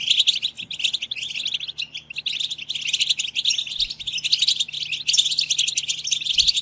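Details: European goldfinches twittering as a group, a recording meant to stir goldfinches into singing; dense, jingling high-pitched chatter with quick trills and nasal buzzes, steady throughout and strongest near the end.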